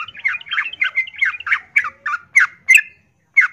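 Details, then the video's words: Female yellow-vented bulbul in breeding condition calling to a male: a run of bubbly, chattering notes in quick succession that then space out into separate sharp chirps with short pauses, against quiet background. "Trucuk Betina memanggil jantan MIYIK Birahi Tarung"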